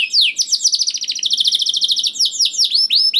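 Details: Canary song used to lure young canaries into singing: a long run of rapid downward-sweeping trills, high and sharp, repeated in fast rolling series with brighter slurred notes near the end.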